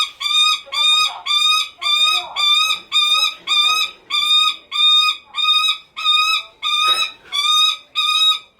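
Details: Lanner falcon kept at a bird park in Kakegawa, Japan, calling without pause to be noticed by its keeper: a rapid string of about fourteen harsh, nasal cries, nearly two per second, with brief soft rustling noises between some calls.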